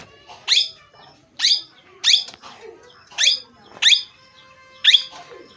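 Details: Parrot giving six harsh, screechy calls that rise sharply and fade, spaced unevenly over a few seconds, with faint softer chatter between them.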